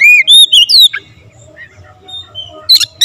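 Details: Short burst of Oriental magpie-robin song, full variation: a few clear slurred whistles rising and falling, then quiet soft twitters and a final pair of harsh, buzzy chirps.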